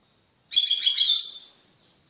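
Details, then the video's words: Caged male European goldfinch singing strongly after separation from a female canary he had mated with; a single burst of about one second of rapid, bright twittering notes that fades out at the end. "تغريد قوي لذكر طائر الحسون بعد عزله عن أنثي الكناري"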